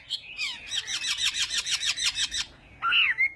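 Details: Chinese hwamei singing a morning song for voice training: a run of rapid, evenly pulsed notes, then a short pause and loud rising and falling whistled phrases.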